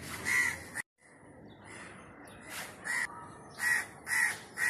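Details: Wild crow giving harsh, rasping caws, about six short calls spaced unevenly, with a brief silent gap near the start and soft background noise between calls.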